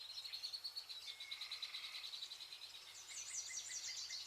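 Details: A flock of vernal hanging parrots at pearl millet in August, rapid pulsed high chittering repeated several times a second, joined near the end by zigzagging shrill squeaks.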